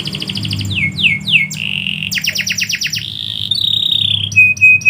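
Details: Canary singing at midday: a loud high run of phrases, falling swept whistles repeated in quick series, then a sustained buzzy trill and rapid clicking rolls, ending on short repeated high notes.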